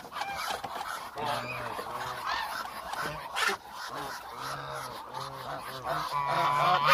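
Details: Roughly a thousand hungry Muscovy ducks calling: repeated short arched honks, about two per second, from many birds at once, with a sharp knock midway.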